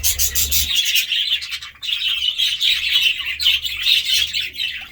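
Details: Budgerigar chatter of rapid overlapping chirps, whistles and scratchy notes, steady throughout, with a low hum beneath.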